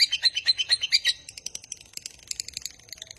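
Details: Lovebird trilling in the 'ngekek panjang' style used to train other lovebirds: a loud string of about eight clipped, shrill chirps, then softer, looser chattering notes.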